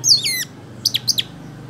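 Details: Golden-fronted leafbird, a yellow-headed bird kept as a lure, giving a high, rich burst of slurred whistles, then four sharp, quick falling notes after a short pause.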